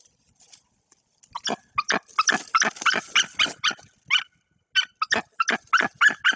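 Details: Irregular, overlapping harsh yelps and barking cries, some rougher and noisier, with short gaps. A female white-tailed eagle on eggs in Bory Tucholskie is confronting an intruder at her nest tree.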